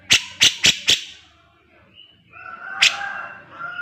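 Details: Grey-cheeked bulbul, master recording for training cage birds: four quick, bright chirps, a quiet gap with a thin whistled trace, then another sharp chirp and a soft rising whistle before a final note.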